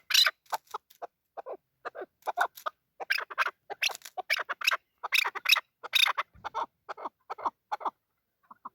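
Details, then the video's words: Male chukar partridge calling in a loud burst of harsh, scratchy notes, many bright and broadband, mixed with shorter mid-pitched clucks, delivered in quick irregular runs with brief gaps over nearly nine seconds. "Male chakor voice"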